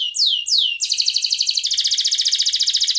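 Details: Atlantic canary singing a lure song meant to set other canaries singing. Two or three loud, high, down-slurred whistles lead straight into a fast, even, buzzy rolling trill held for over two seconds.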